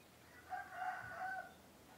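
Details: Crow of a male laying-breed chicken, a call given in the morning to signal the turn from night to day; one clear, drawn-out harmonic crow lasting about a second, rising slightly in loudness toward the end.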